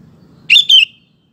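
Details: Sooty-headed bulbul song used to tempt male bulbuls to answer, one clear two-part whistled phrase with a gently falling second half, faint low noise before it.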